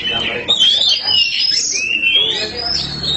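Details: Oriental magpie-robin (black kacer), a cage bird, sings sweeping whistled phrases that glide high then drop, with a scratchy edge. People talk quietly underneath.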